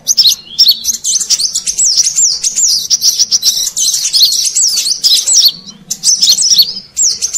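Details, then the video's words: Wild-bird lure call of the Brown-throated sunbird: long bursts of piercing, rapidly rising and falling chirps and trills with a few brief breaks. "Suara Pikat Burung Kolibri Kelapa Manggar"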